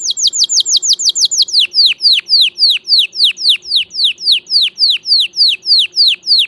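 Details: Singing canary producing a long steady tour of loud whistled notes, each sweeping sharply downward, repeated roughly three times a second, with the notes gradually lengthening.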